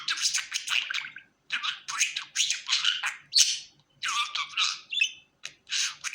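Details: Scratchy, chattering warble from a happy domestic budgerigar, dense noisy syllables grouped into lively phrases with frequent brief pauses, one clicking tick in the middle and a faint hum in the background.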